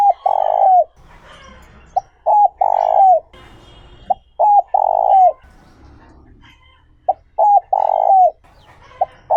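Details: Spotted dove coo in the 'giọng trơn ròng' style for rousing wild-caught doves: low hollow phrases repeated about every two seconds, each a clipped note, a quick double note and a drawn-out coo dropping at its close, with small birds twittering behind.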